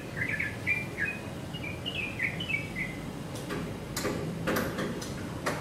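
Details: Yellow-vented bulbul, a male, singing by himself: a run of quick chirpy, slurred notes over the first three seconds, then sharp clicks and knocking taps over a low rumble.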